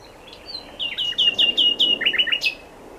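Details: A nightingale delivers a series of evenly repeated sweet whistled notes, accelerating into a quick descending flourish and ending with a sharp high note.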